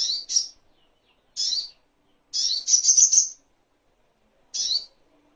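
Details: Sogok ontong (little spiderhunter) tutor recording: scattered high downslurred chips and one short rattling trill, quiet background.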